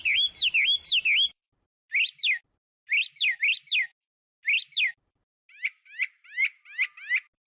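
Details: Chinese hwamei song in varied bursts: looping whistles, then pairs and triplets of sharp up-down notes, closing with a quicker buzzy series.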